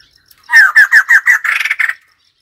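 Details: A white-crested laughingthrush gives five evenly spaced, hoarse, downslurred notes, then speeds into a harsh, rapid chattering rattle.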